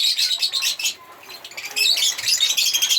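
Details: Rapid, high, twittering chirps from African lovebirds in quick pulsing bursts, with a short quieter gap near one second.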